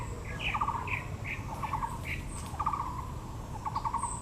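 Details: Taiwan blue magpie in Yangmingshan National Park, Taipei, with azaleas in bloom: grating, buzzy chatter bursts about once a second, alongside sharper high notes from other birds and constant low ambient hum.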